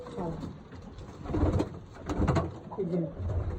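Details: Pigeons at a pigeon farm with chicks and eggs give low, throaty coos rising and falling in soft bursts while people talk nearby.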